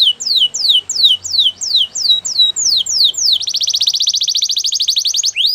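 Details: Singing canary delivers slow, evenly spaced whistled notes that each slide sharply downward, about three per second, then switches to a fast, steady, high rolling trill.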